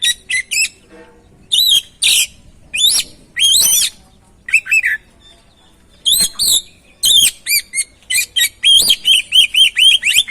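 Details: Oriental magpie-robin singing to stimulate a silent or stressed bird: loud phrases mixing harsh buzzy bursts with clear whistled notes, ending in a fast run of repeated bright chirps, with short gaps between phrases.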